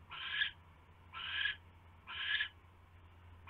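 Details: Owl nest at 12:43 AM, 27 January 2016, as a huge rat is brought in; drawn-out raspy hisses repeated roughly once a second over a quiet low drone.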